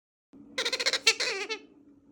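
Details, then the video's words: A baby bronze-winged pionus parrot gives a quick run of squeaky, chuckling notes, about eight pulses in one second, like giggling, over a steady low hum; possibly begging or laughing. "Honest Baby Bronzewinged Pionus Parrot Noises. Begging or laughing parrot?"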